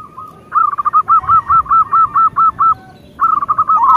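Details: Loud song of a local zebra dove: a long fast run of about ten short, evenly spaced coos, a pause, then a fresh cooing phrase begins.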